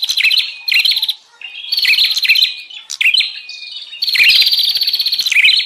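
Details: Bar-winged prinia lure call, 'prenjak ribut', for attracting wild prinias and tutoring captive birds: clipped buzzy rattles separated by sharp chips and brief pauses, ending in a long pulsed rattle.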